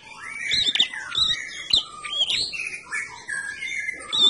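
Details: A red-headed prinia (prenjak kepala merah) sings a fast, busy run of high whistled and chirping notes with quick up-and-down sweeps, barely pausing throughout.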